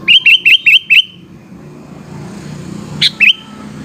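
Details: Sooty-headed bulbul singing in the afternoon: a run of five rapid rising whistled notes, then a sharp high note and one more whistle, against a low rumbling background.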